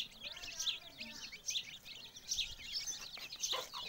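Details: Chicks with their mother hen: a dense, continuous chorus of high, thin peeps overlapping throughout, many small birds calling at once, with faint background noise.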